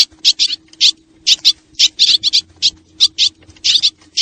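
Swallows twitter in quick, high, scratchy chirps, about five each second in uneven clusters, over a faint steady hum.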